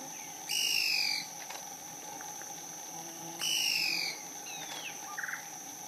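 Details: Yungas tody-tyrant calling from dense bamboo vegetation at San Juan del Oro, southern Peru. Two falling whistled notes three seconds apart, each under a second long, plus a brief faint chirp afterwards and a continuous background hum.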